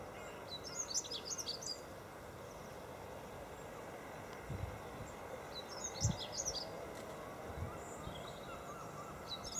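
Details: Dunnock sings short, high, squeaky warbling phrases about a second long, repeated every five seconds or so, over steady background noise with low rumbles; Golden Hill Country Park, Freshwater, 21 February 2012.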